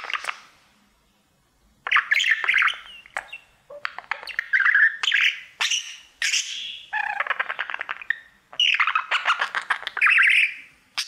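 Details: Budgerigar kept as a pet, a male, warbling to his mirror; a quiet opening gives way to bursts of clicking, buzzing chatter and whistled slurs, broken by brief pauses.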